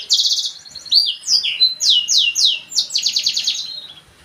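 A black-throated canary sings a fast, rambling run of high trills and sweeping downslurred whistles, phrases changing every half second with no pause.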